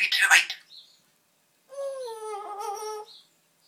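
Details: Pet parrot, a male, left alone chatting to himself indoors; a brief noisy burst, then a clear harmonic voice-like phrase lasting over a second, mimicking speech-like sounds.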